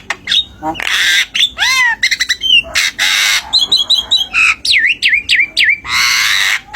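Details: Tame Javan myna that can mimic speech, used as a tutor song for other cage birds: loud harsh squawks mixed with clear whistled upslurs and downslurs, rapid stuttering notes and a run of repeated swooping whistles.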